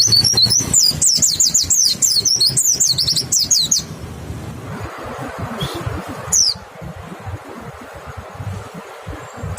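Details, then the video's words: White-eye song played as a lure to set other white-eyes singing: a dense run of high, quick twittering notes for the first few seconds, then mostly low background noise with one brief sharp chirp. "Pancingan PLECI BIKIN IKUT NEMBAK, suara jernih bikin respon PLECI LAIN BUKA PARUH"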